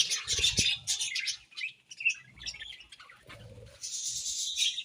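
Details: Budgerigars chirping in the morning: a dense, busy chatter of high, scratchy chirps and warbles that rises and falls in bursts, with soft low thumps and bumps mixed in underneath.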